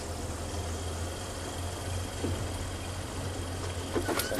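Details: A quiet Sunday morning on safari: a vehicle engine idles with a steady low hum throughout, with a few faint clicks near the end and no animal calls.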